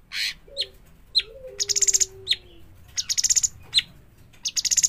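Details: Fledgling bulbul calling in quick, repeated bursts of rattled high chirps, roughly three in five seconds, separated by sharp chips; a soft low drawn-out whistle sounds faintly at the start.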